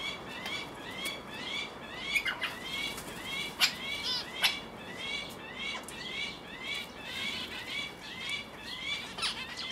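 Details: At a nest on 11 August 2019, a male Guinea turaco (Tauraco persa persa) feeds its chick of about three weeks; a dense run of rapid, high, rising chirps continues throughout, broken by several sharp louder knocks. Recorded with a Panasonic HDC-SD60 camcorder.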